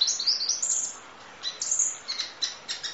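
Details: Kolibri Ninja sunbird, full-fill 'nembak' masteran material: a fast run of thin, very high twittering notes, a brief lull, then more sharp chips and short trills.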